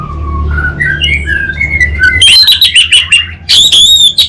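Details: Singing in the 'kabel konslet' style, an orange-headed thrush kept in North Bali gives stepped, rising whistled notes, then a dense chatter of rapid high notes and a final loud burst.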